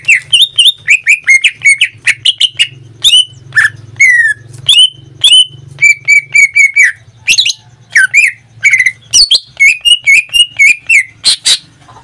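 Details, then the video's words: Greater green leafbird, a caged bird that sings nearly every day, pours out a long varied song. It mixes fast repeated chirps with slurred whistles and occasional harsh notes, over a steady low hum. "Suara cucak ijo"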